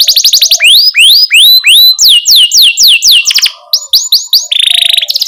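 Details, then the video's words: Tutor song of a lively canary for teaching young canaries: series of loud sweeping whistled notes, rising then falling, giving way to quick chirps and a fast buzzy rolling trill at the end. "Kenari Gacor CUIT Cuit Ngerol Buat MASTERAN Kenari PAUD Baru Belajar Bunyi"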